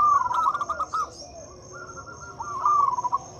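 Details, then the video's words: Lure song of a local zebra dove, meant to make quiet doves sing: a rapid string of pulsing cooing notes, a short pause, then another trilled phrase that fades out. A high whine continues throughout. "Suara PIKAT dan PANCINGAN perkutut lokal gacor untuk atasi perkutut bisu dan susah bunyi."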